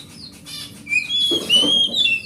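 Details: Forest oriental magpie-robin, a large grade A hobby bird, singing as a lure for silent magpie-robins: soft notes, then bright sustained whistles with a rustling, flapping-like noise beneath.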